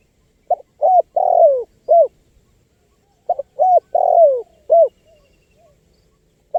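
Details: Spotted dove cooing to lure wild birds. Two clear phrases of four notes, short, level, long and falling, then short, with a gap of about 1.5 seconds. A further phrase begins at the very end.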